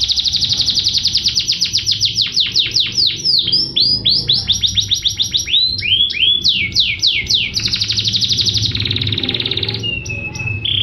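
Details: Canary master song to stimulate other birds to sing: a long, varied phrase of fast repeated notes and sweeping slurs, changing tempo several times, ending with short steady whistled tones over low background noise.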